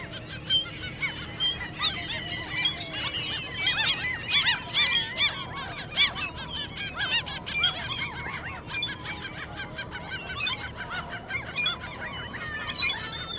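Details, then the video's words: Common gulls in mating season giving squeaking begging calls, a behaviour young birds later adopt to get food; many overlapping high, harmonic squeals and yelps from several birds, in dense bursts over a steady low background rumble. "Quietschende Sturmmöwen"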